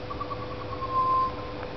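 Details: Butcherbird singing in a tree in the afternoon after being fed, a juvenile also singing nearby and a noisy miner present: soft, quick pulsed notes, then one pure, steady fluted whistle held about a third of a second, over low hum.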